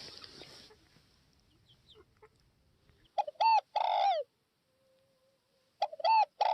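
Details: Spotted dove from northwest Vietnam cooing: after a brief hiss at the start, two phrases, each of a few quick low notes run into a longer, throaty, falling coo, with quiet between them.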